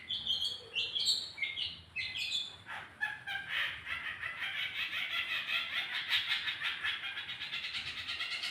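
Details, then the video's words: Long-tailed shrike lure recording meant to make a bird sing: a few short sweeping, squeaky notes open, then a dense, continuous harsh chatter of scratchy notes carries on to the end over a faint hiss. "pancingan suara cendet biar cepat gacorr"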